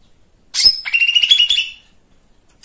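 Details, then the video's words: A lesser green leafbird gives a brief burst of song: a sharp, very high opening note, then a quick run of bright chattering, warbled notes lasting about a second. "Pancingan anti bisu !! Cucak ijo mini"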